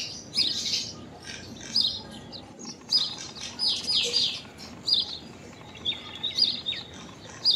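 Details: Common myna in an unusual calling bout: repeated sharp chirps, short falling whistles and flat clipped notes in a lively, uneven sequence, with hiss behind.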